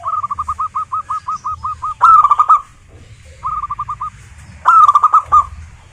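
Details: Local zebra dove song meant to provoke other zebra doves into singing. A run of ten quick hooked coos, a louder rich phrase, a short four-note series, then another full cooing phrase.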